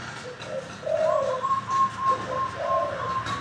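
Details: Local wild zebra dove caught from the wild, singing a cooing song of soft, gurgling coos and short trilled notes, rising and falling in bursts, with light room noise behind.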